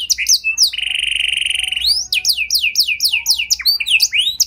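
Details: Singing canary with a showy song meant to set off other canaries: quick swooping notes, a long steady pulsing whistle held over a second, then a string of bright rising and falling slurred whistles.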